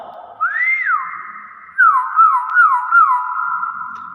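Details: Nias hill myna giving its original, unusual voice: a long slurred whistle rising then falling, a pause, then four quick down-swooping whistled notes about every half second over a steady held tone, indoors.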